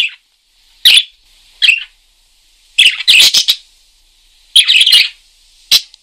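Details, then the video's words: Parakeet in lively voice: single bright chirps, then a quick run of rasping, chattering notes, then more isolated chirps with short pauses. "Suara Kicau Burung PARKIT GACOR"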